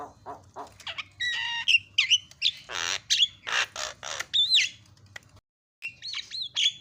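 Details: Javan myna song, said to set other mynas singing: a varied mix of grating squawks, nasal whistles and buzzy harsh notes, a short silence, then more twisting whistled phrases.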